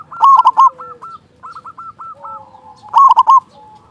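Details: Loud local zebra dove song used to spur silent or stressed doves into singing; a strong rolling coo burst opens, followed by a chain of softer clipped coos, then another loud burst.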